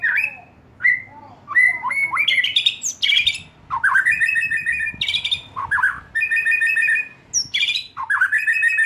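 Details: Young wild-caught White-rumped shama, recently out of spotted plumage, encouraged to sing: clear whistled notes building into fast, dense chattering trills and high flourishes, with deep swooping notes between phrases.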